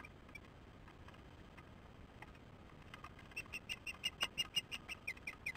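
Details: Osprey calling on its return to the nest, from a nest camera on 09/10/15 at 14:23 ET; after a quiet start, a rapid run of sharp, high chirps repeats about three times a second over faint background hiss.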